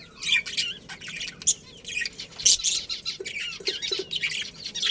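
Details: Budgerigars, a breeding pair kept in a colony, give dense bursts of scratchy, high chirps and chatter, overlapping almost without pause, with several louder, sharper notes near the middle.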